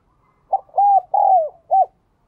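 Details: Single cooing phrase from a captive spotted dove in four parts: a short opening note, a sustained coo, a long drawn-out falling coo, and a clipped end note, clear against a quiet background.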